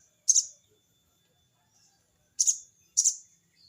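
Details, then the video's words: Sogon bird challenging a rival, giving crecet cerecet notes: one sharp buzzy high chirp, a pause of about two seconds, then two more grating bursts in quick succession. "burung sogon bunyi crecet cerecet!!sogon manggil lawan!!"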